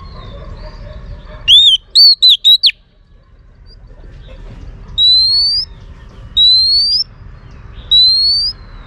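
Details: A female Oriental magpie-robin sings to excite males: a rapid run of four crisp whistled slurs, a pause, then three long, pure, gently rising whistles spaced about every one and a half seconds.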